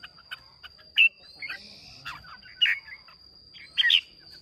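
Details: Red-whiskered bulbul from Hòa Bình, Vietnam, held for a singing contest, recorded 30 May 2023: short bright warbled phrases in loud bursts about every one to one and a half seconds, with softer chirps between and a steady high tone throughout.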